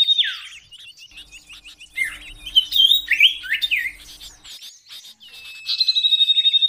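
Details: Master training recording of a common iora in the tembakan sirtu versi kenari style: a falling note, busy twittering and slurred chirps, then a long level pulsed trill to close.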